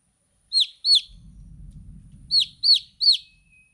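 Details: Two shrill, falling peeps from baby chicks, then a low rumbling noise, followed by three more high, downward-sliding chirps.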